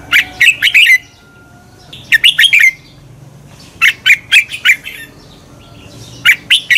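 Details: Red-whiskered bulbul song for exciting birds to sing in competition: four rapid phrases of three to five sharp whistled notes, each phrase under a second, coming about every two seconds, with a faint steady hum.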